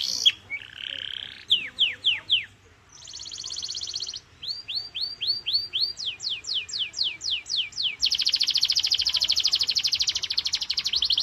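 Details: Full-power canary song serving as a singing stimulus for young or sluggish canaries: varied phrases of short buzzy trills, rising whistled slurs, and sharp descending sweeps, ending in a long, fast, dense trill.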